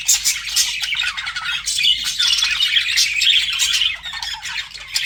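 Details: Pet budgies flirting with fast squawky chatter, short whistled notes woven through a continuous high scratchy warble.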